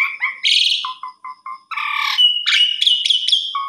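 Asian pied starling singing a jumbled, varied song: harsh chattering notes, a run of short low whistles, then loud squeaky, rising phrases.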